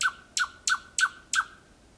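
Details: Thrush nightingale singing from four to five metres at night, Kiili parish, Estonia: five loud, hard, knocking notes, evenly spaced about every third of a second.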